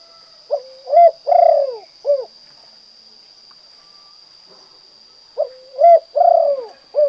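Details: Spotted dove of the 'kuk 2' song type delivering two cooing phrases about four seconds apart, each a short rising lead-in, two emphatic coos and a clipped final note, over a constant high hum.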